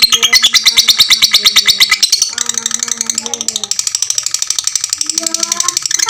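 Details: Fighter lovebird, long ngekek song for training other lovebirds: fast trill of shrill notes, with lower whistled tones running alongside and a short pause-like softening midway.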